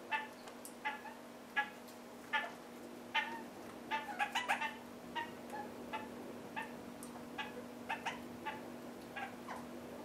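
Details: Red-crowned parakeet pair eating half-ripe willow seeds, giving a long series of brief nasal chattering calls, some in quick clusters, fading to softer notes later, over a constant low hum.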